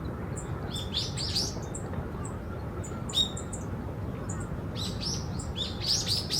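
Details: Yellow-throated bunting in the wild at Osaka Castle Park's old heliport: bursts of quick, high, sharp call notes grouped in short runs with brief pauses, set against constant low urban rumble.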